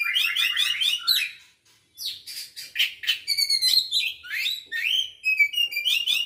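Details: Continuous, energetic song from an Oriental magpie-robin, Aceh variety, recorded 24 December 2022. Fast trilled and chattering phrases come first, then a short silence, then strong bursts of sharp notes mixed with sweet whistled slurs repeated several times.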